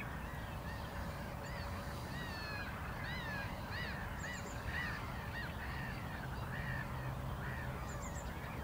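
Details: A great crested grebe pair building a nest and attempting to mate, at Záhlinice ponds at 5:30 on 3 June 2021, gives nasal, arched, slightly harsh calls every half second or so, with faint thin chirps above a low wind or water rumble.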